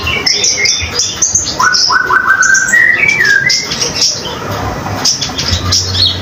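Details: Common iora delivering energetic song for training other songbirds: high chirps give way to a sequence of clear, mid-pitched whistled slurs stepping upward, then more rapid high twitters.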